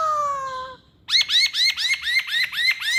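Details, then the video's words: A masked laughingthrush gives a long, clean, slightly falling whistle, then a fast, loud series of about nine rhythmic looping notes. "Kicauan Poksay Hongkong"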